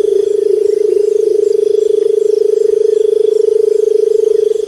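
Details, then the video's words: A Barred Buttonquail gives a low, steady booming purr, a continuous droning hum that runs unbroken for several seconds, with faint background hiss. "Barred Buttonquail Call | Buttonquail Bird Sound | বটের পাখির ডাক | Bater Pakhir Dak"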